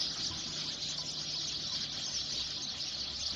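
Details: Flock of native sparrows gathering to roost for a summer night in a dense tree, safe from predators; many overlapping high-pitched chirps form an unbroken, busy chatter throughout.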